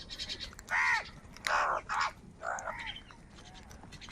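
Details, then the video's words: Crows fighting for food give several harsh, rasping caws in quick succession, each a short grating burst, the loudest pair close together mid-clip, over a steady low background hiss. "কাকের ডাক Crow Sound Loudly | Different kauwa ki awaz | Kaka sound and noises of crow birds"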